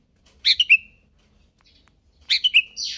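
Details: Greater green leafbird kejer nembak song with two matching phrases, each made of three sharp notes falling in pitch and ending in a thin trailing whistle. A brief hissy burst closes the sequence.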